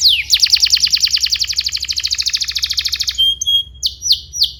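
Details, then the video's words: Canary in full song, used as a training master for young canaries: a fast, even trill of downslurred notes rolling for about three seconds, then a few separate bright upswept whistles. "PANCINGAN KENARI GACOR DURASI PANJANG UNTUK MASTERAN KENARI PAUD BELAJAR BUNYI DAN GACOR"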